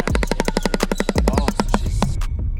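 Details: A shoebill stork clatters its bill in a rapid, hollow, machine-gun rattle of about ten knocks a second that slows toward the end, over a low musical hum; a swamp bird's greeting sound. Finding: Shoebill.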